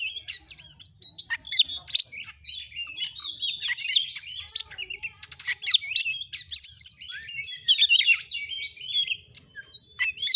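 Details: Oriental magpie-robin (kacer) in lively gacor song, masteran audio to raise birds' mood: long, rapid medley of whistles, chips and twisting slurs, pausing briefly midway and resuming in rhythmic repeated notes.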